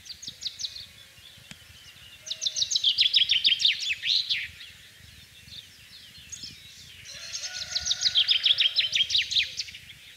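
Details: Spring song of a common chaffinch, recorded 24 March 2012 in rural central France: two bright descending trilled phrases with terminal flourishes, separated by a pause, over faint steady background hiss.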